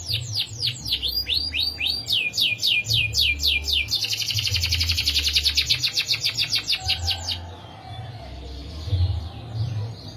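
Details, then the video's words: Canary singing a long rolling song: rapid repeated chirps build into a dense, fast, buzzy trill held for several seconds, then fade. A steady low hum runs underneath. "BURUNG KENARI ISIAN NGEROL PANJANG"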